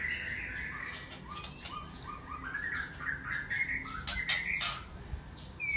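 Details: White-rumped shama of the Aceh type singing in a rapid burst: varied whistled and chirping phrases that step upward, then sharp high notes near the end, over steady low background noise.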